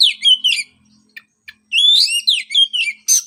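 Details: Oriental magpie-robin song used to stimulate a post-moult bird to sing: sliding whistled phrases, a quiet stretch with a few faint clicks, then a loud run of descending whistles and chirps.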